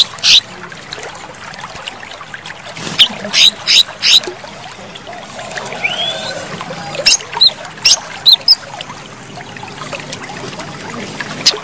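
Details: Cucak kinoi, a male in full song with sharp chattering bursts: loud clusters of high, crisp notes near 3 and 9 seconds, scattered single chips between, over a steady background of trickling water.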